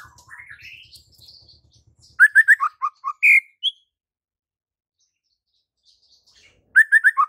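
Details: White-rumped shama in lively full song, offered as a tutor for birds slow to sing: soft rising warbles, then loud bursts of short repeated notes stepping downward, a high upslurred whistle, and a final cluster of quick notes.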